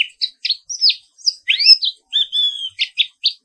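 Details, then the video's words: Indonesian black-capped white-eye, Zosterops atricapilla, with a morning song: varied high notes mixing short chips with longer sliding whistles, one drawn out and flat, in a clean recording. "Suara Terapi Pagi Pleci Papua Wiklus | Auto Aktif & Ngerol Terus"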